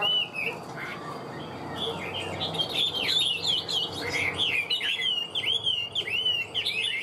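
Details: Hwamei kept in a cage as a champion singer and fighter gives a fast, vigorous song of repeated looping whistles, building into rapid clear notes several times a second.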